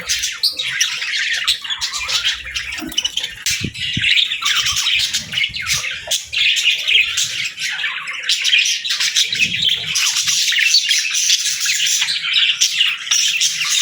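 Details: Morning chorus of pet parakeets with lovebirds, a continuous busy mix of shrill chirps and squeaky squawks overlapping throughout, with faint low knocks early on.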